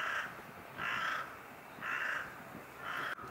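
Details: Brown-eared bulbul in early February 2021, recorded through a spotting scope and compact camera: harsh, broad, grating calls repeated about once a second, four in a row, over low background hiss.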